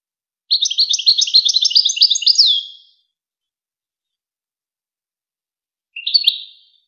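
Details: European goldfinch song for teaching young birds and hybrids: a dense two-second twittering phrase closing with a falling whistle, then after a long silence a short twittered fragment.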